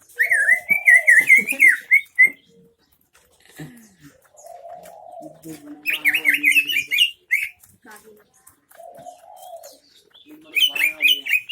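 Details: Greater green leafbird from Aceh Tengah with MB fill-in song: fast, varied whistled trills and warbles in loud bursts separated by lower mellow whistles and gaps, ending in another rapid chattering run.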